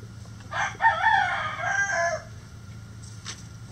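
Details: Rooster crowing: one loud, harsh crow with a short opening note, then a long, strained, wavering phrase lasting about a second and a half, followed by a faint distant call and a quiet background.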